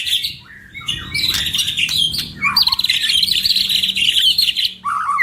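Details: A pair of white-rumped shamas in full repertoire, used as a lure recording. Harsh, buzzy chattering and rapid high trills dominate, ending with a lower burst of slurred notes.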